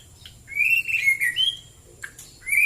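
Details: Morning song of a white-rumped shama (murai batu): a long clear whistled phrase wavering up and down, then sharp clicks and a rising whistle at the end.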